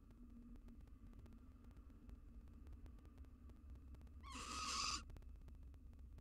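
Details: In a nest box, a wild female barn owl takes a mouse from the male, possibly ahead of egg-laying. After several seconds of low hum, one breathy, noisy screech of about half a second.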